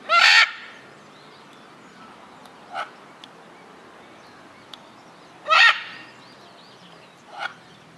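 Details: A Scarlet Macaw at Hamura City Zoo, Tokyo, on 14 April 2011 gives two loud, harsh, raucous screeches about five seconds apart, each followed by a softer, shorter squawk, over a quiet background.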